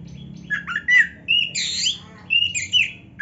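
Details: Oriental magpie-robin singing to stir other magpie-robins into answering: a short run of harsh, scratchy squawks alternating with clear, sharp whistled notes, each phrase about half a second long.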